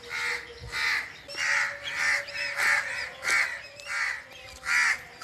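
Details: Forest birds giving loud, raspy, cawing calls, about nine rough bursts in quick succession, each short and harsh, with a faint steady tone underneath.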